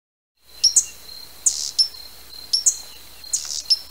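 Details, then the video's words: Hummingbird giving sharp, very high squeaky chips in pairs and short bursts, roughly one cluster per second, over a steady thin high-pitched whine; no other sounds. "Koliber. Odgłosy Kolibra. Dźwięki kolibra. Odgłosy jakie wydaje koliber. Jak robi koliber?"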